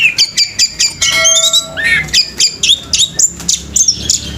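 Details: Orange-headed thrush in full, rapid song; fast sequence of sharp high chirps and whistled notes, several a second, with a brief stretch of steady tonal lines that may be background music.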